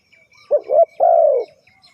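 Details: Single cooing phrase from a spotted dove heard in a bird-trapping setting: a quick broken double coo, then one longer, smooth, slightly descending coo, with faint high chirps of other birds behind.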